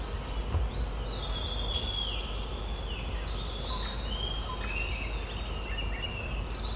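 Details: At its nest-hole in an old oak knot in the Uttarakhand Himalaya, India, a Green-backed tit visits to feed chicks; a stream of high, thin chirping notes, one sharp rustling burst early, over constant low insect drone.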